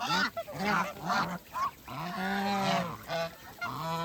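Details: Farm geese feeding, heard in a countryside setting: repeated short nasal honks with rich harmonics, several birds overlapping, some calls drawn out and rising, about two per second, with soft background rustle.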